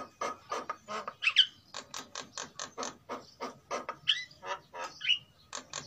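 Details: Softer, more distant-sounding song from captive Sulawesi white-necked mynas, a male and female in breeding condition, used as a lure recording. A steady, even series of raspy clicking notes, with a few sharp whistled squeaks, runs over low background hum.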